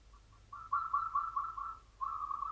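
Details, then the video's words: Local zebra dove singing in the classic Mataram rhythm, recorded at a distance over a low hum and hiss. Two faint soft notes lead into a long string of evenly spaced, bubbling coos, then the string repeats. "PERKUTUT LOKAL IRAMA PAKEM MATARAM JUARA"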